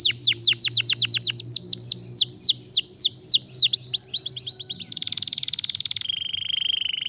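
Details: Stimulating canary song: a long series of quick falling whistled notes, accelerating slightly, ending in a dense buzzing trill that drops to a lower sustained roll.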